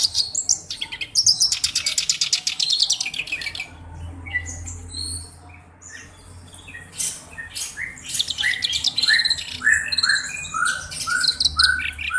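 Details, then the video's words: Vigorous song of a black-browed reed warbler kept for its unique voice as a tutor. A long grating rattle opens, then varied squeaky slurred notes and quick rising chirps in an irregular, chattering stream. "BURUNG KERAK BASI ALIS HITAM GACOR"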